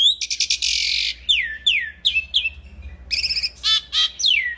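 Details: Singing Asian pied starling, a training recording: a long rasping buzz, then a series of clear downward-sweeping whistles, followed by stuttering chatter and a final falling whistle.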